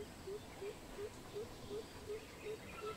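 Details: Deep, evenly spaced hoots from a greater coucal, eight notes at roughly one every third of a second, each short and hollow, with faint background hiss; recorded 16 April 2020.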